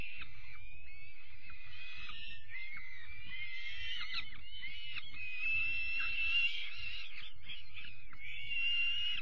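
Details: Peregrine falcon nestlings at dinner time, 5 May 2021, keep up a rough, grating stream of screechy calls with short rising and falling notes; a steady low rumble runs underneath.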